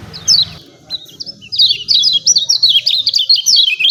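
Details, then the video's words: Rapid, high, scratchy 'ciak ciak' notes from lemon-bellied white-eye, used to train and stimulate other birds to sing. A single call opens, then about two and a half seconds of dense, jerky downslurred chirps. "CIAK CIAK JOSS KECIAL KUNING AMPUH"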